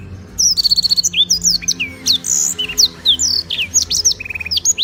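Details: Black-throated canary singing vigorously over high and low registers, Beng, Gianyar, Bali, as tutor material for other birds: a fast run of repeated chips, then varied whistled slurs, buzzy notes and a short trill, continuous for nearly five seconds.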